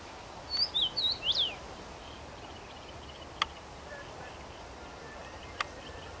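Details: Common rosefinch singing in a tree on 23 May 2021: one short clear whistled phrase of about five slurred notes, rising and falling, then quiet with a couple of faint clicks.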